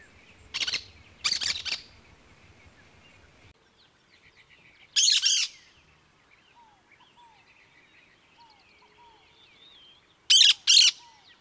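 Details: Cactus parakeet uttering brief harsh screech bursts, two close together, one mid-way and a final double burst, with faint soft whistled chirps from other birds in the quieter stretches.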